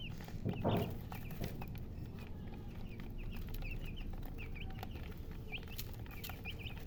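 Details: Colored chickens chirping: scattered short, high, sharp peeps spread through the clip after an early knock, against a constant low hum.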